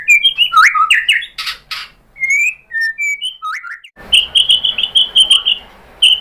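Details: White-rumped shama song as a lure: rapid jumbled whistles and chips, two harsh rasps, short spaced whistled notes, then a fast, even series of high chipping notes over faint hiss.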